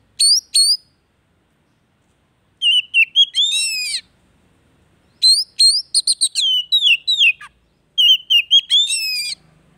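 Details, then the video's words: Oriental magpie-robin singing, used as therapy to get a silent caged bird singing again: bursts of varied whistles and quick twittering phrases, separated by silent gaps of one to two seconds. "TERAPI HARIAN BURUNG KACER MACET"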